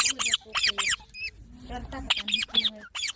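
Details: Baby parrots, green talking parrots from India, calling in a small room: harsh, rasping squawks with rich harmonics, repeated in quick bursts of two or three, separated by short gaps.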